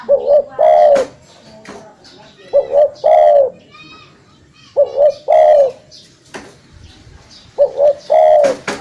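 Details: Spotted dove cooing for luring: four phrases of two quick coos and a longer throaty note, spaced a few seconds apart, with chirps of other birds and occasional clicks.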